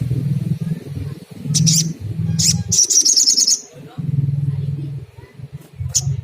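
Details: Sunda coucal (sogon) used to rouse another coucal into calling: bursts of deep, rapidly pulsed low hoots separated by short gaps, while thin high chirps and trills from another bird sound over them.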